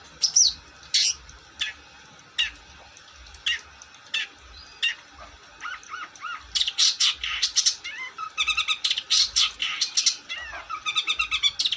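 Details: Long-tailed shrike in full song: spaced harsh notes at first, then a busy run of mixed whistles, short upslurs and rattling bursts that grows faster and louder toward the end.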